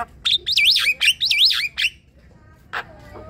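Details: Javan myna chattering song meant to stir silent flock-caged birds into singing: bright, sweeping whistled wavy notes in quick succession, followed by a pause and a single harsh rasp.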